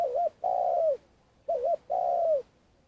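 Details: Spotted dove lure bird calling for trapping in Vietnam, giving long calls: a short wavering two-note coo followed by a long, level, slightly falling coo, repeated twice; otherwise quiet.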